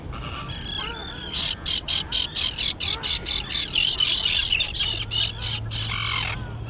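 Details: Fledged young terns in a grassy island colony: a few thin squealing notes open, then a rhythmic run of harsh, scratchy calls about four per second, ending in downward-bending cries, with a faint steady hum below.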